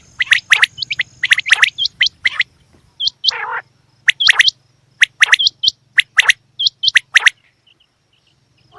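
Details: Female quail giving bursts of sharp high chirps and hooked, upslurred whistles, with one longer nasal buzzy note midway, in irregular clusters separated by short pauses; a faint low hum runs underneath.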